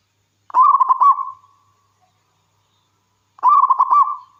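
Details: Frequent-singing local wild zebra dove, played to coax other doves to sing. Two loud, bubbling, stuttered coo phrases about three seconds apart each end in a sustained fading tone.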